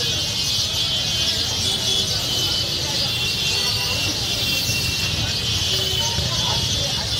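A dense, unbroken wall of high chirping from thousands of sparrows gathered at a roost, with the low rumble of road traffic underneath.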